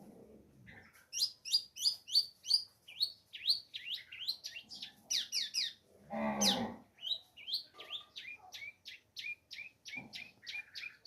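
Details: Long-tailed shrike from Lampung, Indonesia, singing a series of sharp, high, down-slurred notes repeated rapidly in bursts, with a brief rough noise in the middle of the phrase and low rustling early on.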